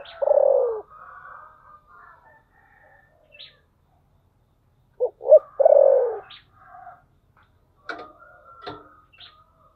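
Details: Spotted dove giving its "thổ sấm" style coo: a long, low, falling coo, then after a pause a quick pair of short coos leading into another drawn-out note, with scattered higher chirps and twitters around.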